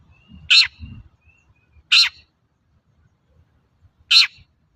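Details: Long-tailed shrike used as a singing lure for untrained shrikes. Three harsh, buzzy screeches spaced well apart, with brief low thumps near the start and otherwise quiet gaps.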